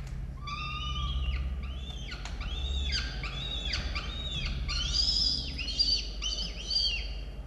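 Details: Peregrine falcon chicks calling during a feeding at their nest in Orange, Australia, 18 October 2022; loud, rapid series of high, arched, harmonic whining notes, growing shriller toward the end, over a low camera hum.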